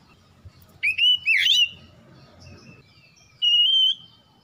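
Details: Oriental magpie-robin lure recording: a few clear whistled phrases, one twisting and slurred, then a steady sustained whistle, with faint low background noise.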